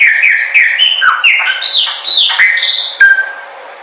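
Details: Chopi blackbird singing, meant as a training recording for other birds: a dense, unbroken run of liquid whistled notes that glide up and down, ending with a sharper accented note and a fading tail.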